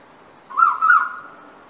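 An Asian koel gives a mellow, hollow two-note 'koo-oo', the second note slightly stretched, over a quiet background.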